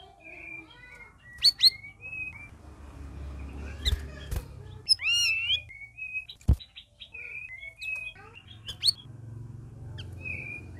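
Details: Red-whiskered bulbuls kept as a caged group in their first week of care: scattered short whistles and curling chirps over a soft low rumble, with a few sharp taps.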